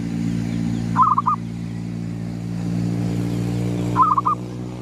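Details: Local zebra dove of the gedong mengo type cooing at sunrise: two brief phrases of quick rolling coo notes about three seconds apart, partly masked by a loud continuous low engine-like drone.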